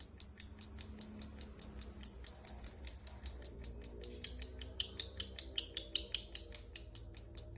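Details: Series of high, clipped tick notes from a lovebird, the 'ngetik' lead-in to its long 'ngekek' song, repeating about two and a half per second, some notes briefly sliding lower midway, over a soft background hum.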